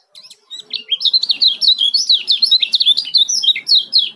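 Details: Rapid ciak calls of a male yellow-vented bulbul from Lombok, played as a lure to get other bulbuls singing: a dense, continuous run of sharp, bouncing high chirps with little pause.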